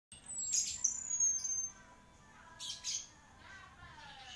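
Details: Orange-headed thrush, an Indonesian "anis merah" kept as a champion singing bird, gives a high whistled phrase sliding downward, then thin scattered chirps and a fainter falling note near the end.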